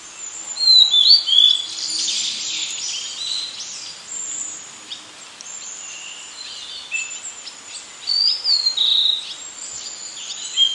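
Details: Blue-and-white flycatcher singing, recorded with an Olympus PEN mini E-PM2 camera: clear whistled, slurred phrases rising and falling near the start and again around eight seconds, separated by quieter notes, over a steady high hiss of background noise.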